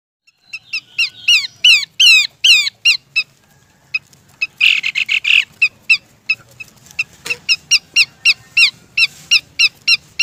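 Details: Female Horsfield's babbler calling the male, a lure recording: rapid series of sharp, high chirps and downward-slurred whistles with a harsh buzzy burst mid-way, then steady repeated clipped notes about three per second.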